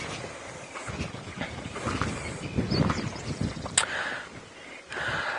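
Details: Low vehicle rumble and wind buffeting with a few brief clicks and knocks, no clear animal call.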